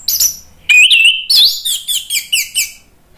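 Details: Rich orange-headed thrush song meant to trigger singing in other birds: a sustained whistled note, then a rhythmic string of about six repeated sliding phrases at roughly three per second.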